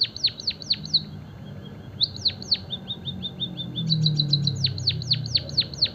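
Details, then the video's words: A white-headed munia sings thin, high, downslurred chirps in quick runs, with a brief fast twittering burst, over a low steady hum. The song is used as a lure to stimulate other munias to sing. "burung pipit bondol kaji gacor - emprit kaji gacor"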